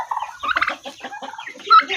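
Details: A large turkey in a village gives a burst of rapid, throaty, gurgling notes, rising and falling in quick clusters, followed by a higher, sharper note near the end.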